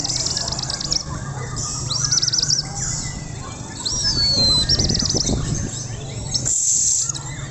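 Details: Indonesian young white-rumped shama delivering quick, high, buzzy trills and a thin whistled note, with loud low rumbling noise building midway.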